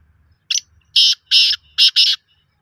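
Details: Black francolin phrase, harsh and scratchy: a short opening note and four rasping buzzes in two pairs, with a soft low murmur underneath.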